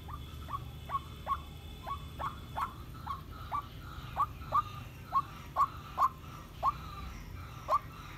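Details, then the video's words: Solo calling from a female decoy white-breasted waterhen aged 7.5 months: a long series of brief, sharply rising hooked notes, uneven in spacing at about two per second, with faint higher tones and low background noise. "Cuốc mồi mái chơi solo"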